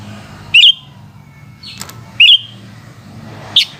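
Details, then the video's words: Sooty-headed bulbul in the afternoon giving two rich, gurgling whistled phrases about a second and a half apart, then a brief squeaky note, with faint low rumble behind. "Burung kutilang oceehan disore hari"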